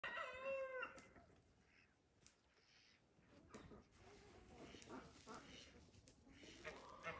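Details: A khaki-coloured Dutch Hookbill domestic duck gives one loud, nasal, rasping quack at the start. Fainter, scattered calls and soft background noise follow.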